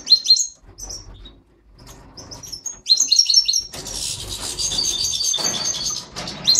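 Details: Mutated goldfinch pair in an aviary, a satiné male and a yellow parva female. Sharp, tinkling high twitters come in short clusters, followed by a longer, noisier stretch with cage rustling.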